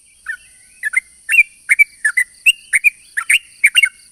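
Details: Sooty-headed bulbul lure song, long and rapid: a faint opening note, then quick paired and tripled chirps and short slurred whistles, fairly dense, with a steady high-pitched hum behind.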